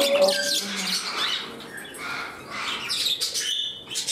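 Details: Indoor pet parrots in their new home, one turning temperamental; harsh, scratchy squawks and brief chatter with a faint whistled note early on, in a small room.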